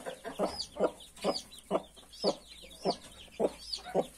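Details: Hen with her 31 newly hatched chicks clucks steadily, short low notes spaced about half a second apart, with thin, curving chick peeps overhead.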